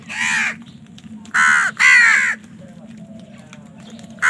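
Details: Crows in a fight for food caw loudly: one rasping caw, then two long, strident caws close together, quiet after, and a last caw cut off at the end.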